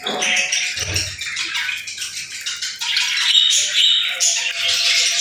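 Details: Continuous busy chirping from playful birds: overlapping squeaky notes, warbles and short whistles run without pause, with a brief low thump early on.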